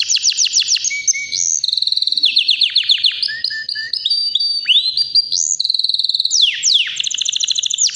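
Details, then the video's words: Powerful nonstop singing from a healthy white canary about three years old: quick repeated chopped notes, sustained high tones and sharp falling slurs linked in a continuous, varied stream of song. "BEAUTIFUL WHITE CANARY NON STOP POWERFUL SINGING"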